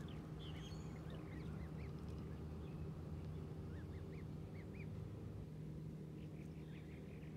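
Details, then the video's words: Goslings giving soft, high, arched peeps, a few scattered early and a short run of them in the middle, set against a steady loud low rumbling hum. "Baby geese"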